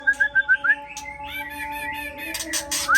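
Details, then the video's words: White-rumped shama song: a run of five clear whistled notes, each slurring upward, followed by a busier stretch of mixed twittering and a final rising whistle, over a steady low background hum. "Suara Murai"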